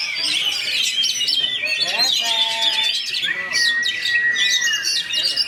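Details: Oriental magpie-robin in rapid rolling song, rich overlapping whistles and twittering trills pouring out continuously, broken by a few long clear sliding whistles, delivered at high speed and tight spacing.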